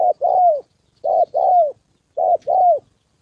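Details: Spotted dove used as a decoy in a trapping session, a wild rival male and female nearby: three clear double coos, a brief note followed by a longer downward-curving one, with pauses between.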